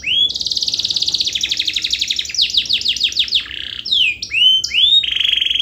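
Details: Canary song played to excite lazy canaries into answering; a long rolling trill opens, followed by falling swept notes, rising whistles and a sustained buzzy roll, loud and continuous.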